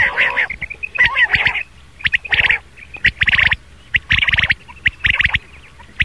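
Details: Rain quail morning call used as a hunting lure: sharp, rattling double and triple notes in bursts about once a second, with brief pauses between.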